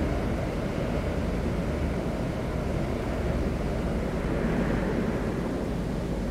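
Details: Dense broadband roar, like wind or distant engines, runs throughout with no animal calls heard.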